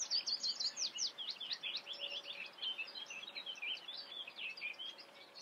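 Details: Close Eurasian reed warbler song, a fast rhythmic string of sharp, grating, repeated notes with clicks and churrs, steady and unbroken throughout, over a faint low hum.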